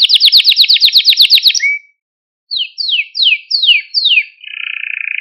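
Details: Canary singing a training song to excite canaries: a quick rattling trill, a short silence, five slow separate downward-sweeping notes, then a low purring roll.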